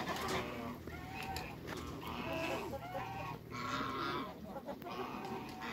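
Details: A pair of large African geese in a backyard with other waterbirds, giving loud, harsh, nasal honks in repeated bursts about once a second, against steady background noise.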